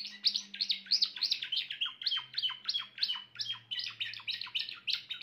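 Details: Grey Timbrado canary in full song, delivering rapid repeated chirping syllables with downward sweeps, roughly three notes a second, lively and high-pitched, a faint low hum underneath.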